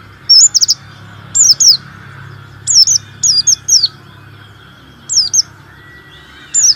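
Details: Energetic singing from a warbling white-eye meant to spur quiet white-eyes into song: bright, very high descending double notes repeated every second or so, opening with a short fluttering phrase, over a low background hum.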